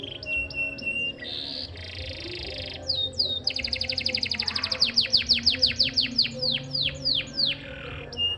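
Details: Canary singing: high whistled notes, a buzzy trill, then a fast run of sharply descending sweeps repeated about three per second, ending in short whistles; faint low background hum.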